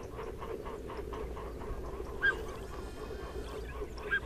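Black-necked swans give a run of soft, nasal honking notes, broken by two sharper, higher whistled calls, over a steady low background rumble.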